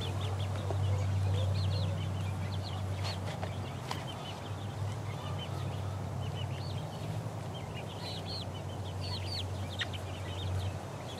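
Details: Four-week-old chickens pecking around, giving soft arched peeps at a steady, busy pace over a loud, constant low hum that dominates the background.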